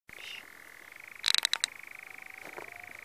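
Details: European nightjar churring in the New Forest, UK, on 6 June 2018: a steady, fast mechanical purring trill held on one pitch, briefly overlaid by a burst of sharp, high chipping notes from another bird.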